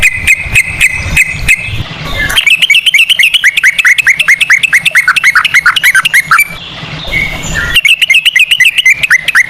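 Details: Lure song of a yellow-vented bulbul (trucukan) in ropel cengkok cucak rowo style: a few steady notes, then fast bursts of dense, sharp chirping separated by short pauses.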